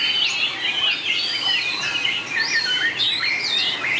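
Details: Contest singing by white-rumped shama, noted for long shifts of voice, 2019: clear, pure whistles and trills that slide up and down, with short bright notes overlapping in a steady, unbroken stream.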